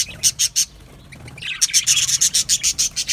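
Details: Australian budgies in an aviary colony, singing and chirping: a burst of three bright, high chirps, a short quiet gap, then a fast run of sharp, evenly spaced high tweets.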